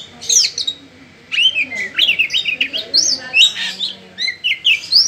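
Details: Energetic kacer song of the Oriental magpie-robin: after a brief pause, a lively run of high, slurred whistles and twittering notes, varied and continuous.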